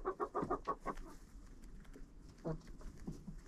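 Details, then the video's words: Chickens inside a friend's coop, recorded on a GoPro placed there, utter a quick run of clipped clucks, about three a second, then fall to quieter scattered low notes amid soft rustling. "Hanging out with Chickens in a Coop"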